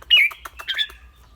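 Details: Red-whiskered bulbul with a clear voice giving a short, bright, slurred whistled phrase broken into quick rising and falling notes.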